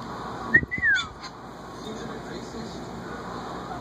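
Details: Pet cockatoo whistling happily: one brief bright whistle that rises, holds, then slides downward, lasting about half a second, followed by a soft click and quiet room noise.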